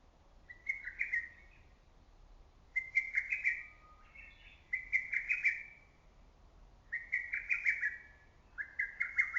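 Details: Lesser cuckoo calling from woods and forest in early summer, its loud voice ringing through valley and trees: four hurried phrases of five or six sharp whistled notes near one pitch, each phrase about a second long, separated by quiet gaps.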